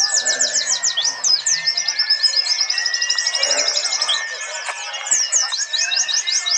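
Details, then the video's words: White-eyes (Zosterops, pleci) from a national singing contest in Trenggalek, East Java, combined recordings, sing in a dense chorus of rapid, high, thin twittering and chattering phrases, several birds overlapping continuously. "simulasi lomba burung pleci"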